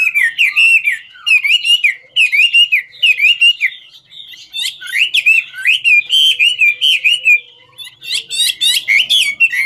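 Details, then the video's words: Dancing Chinese hwamei singing in 'ngũ trường' style: repeated bright whistled motifs with sharp upslurs and clicks, phrases delivered in bursts separated by short pauses. "Họa mi ngũ trường hót múa cực chất"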